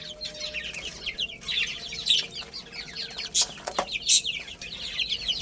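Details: Chicks playing and eating give quick, piercing downslurred chirps in uneven bursts. A few sharp cracks and clicks stand out between the calls.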